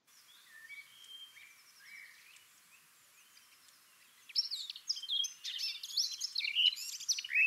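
Eurasian Blackcap song: a quiet scratchy warble rising into a loud, clear fluting phrase of rich whistled notes; a Common Blackbird sings softly in the background.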